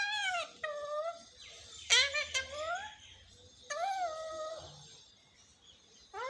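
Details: Talking parrot kept as a pet, noted for saying "mummy mummy": drawn-out, falling, moan-like harmonic calls with a sharp squeaky note in the middle, repeated at uneven intervals in a quiet room.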